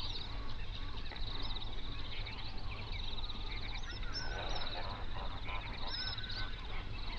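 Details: Distant chorus of wild flamingos from a lake holding hundreds of birds in an Overberg national park, South Africa, in binaural sound. Rapid nasal honks run together, with a few sharper upslurred notes, over low background rumble.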